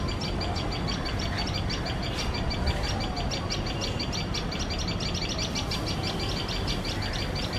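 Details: A tailorbird pair guarding their nest, alarmed by a male cat sitting very close to it, give sharp, shrill chips, several a second, without pause, over a steady low background rumble.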